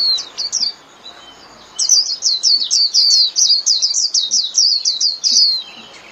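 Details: Japanese white-eye in 'líu' song for cage-bird training: a few high chirps, a brief gap, then a long rhythmic string of quick, evenly repeated falling whistled notes, roughly five to six each second.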